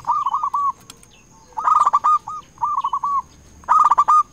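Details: Local zebra dove calling rivals as a lure, four rolling coo phrases in turn, softer runs alternating with louder, sharper ones roughly every second, over a faint steady high tone.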